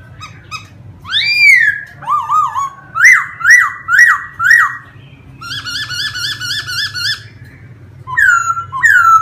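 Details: Laughingthrush in full song, a rich run of whistled phrases: swooping upslurs, a quick rapid series of repeated notes at a steady pitch, then descending clear whistles near the end, with a constant low hum behind.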